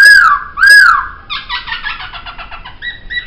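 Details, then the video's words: Laughingthrush singing for a songbird training track: two loud, clear down-slurred whistles, then a rapid buzzy chatter that fades into short steady notes. "Masteran Suara Poksay"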